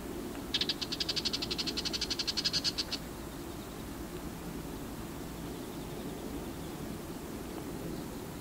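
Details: Female bull-headed shrike giving its call, recorded in autumn: a rapid, harsh chattering series of about twenty clipped notes lasting over two seconds, then quiet with low background rumble.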